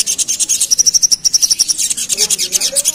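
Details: Agitated pied fantail, stirred up by a lure, delivering a rapid chattering burst of high, sharp notes, with a steady series of thin whistled pips in the middle and a fainter low sound toward the end.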